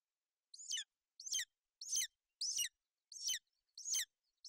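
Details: Golden eagle mother covering her chick on the nest in inclement weather, Bucovina, 28 May 2021. Shrill, descending yelps repeat regularly, roughly every 0.7 seconds, seven in all.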